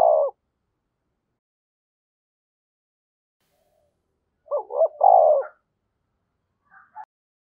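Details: Spotted dove used as a decoy, 'thổ sấm' voice, calling. A coo ending at the start, four seconds of quiet, then one full low phrase of two quick notes and a long rolling note, followed by faint soft sounds.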